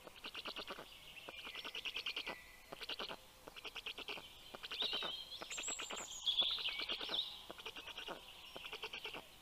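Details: Black stork at a nest in Karula National Park, southern Estonia, at 6:06 am on 19 June 2023 as the female arrives with breakfast for the chicks; rapid buzzy pulsed bursts in short trains, with a thin high whistle from another bird.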